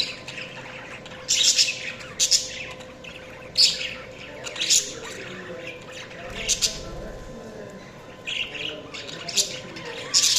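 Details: Budgies chirping in loud scratchy bursts spaced a second or two apart, mixed with softer twittering and a faint low rumble in between.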